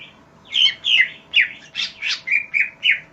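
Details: Loud, close greater green leafbird song from a recording used to train other birds: a quick string of eight ringing whistled notes, some harsh and broad, others clean downslurs, about three per second.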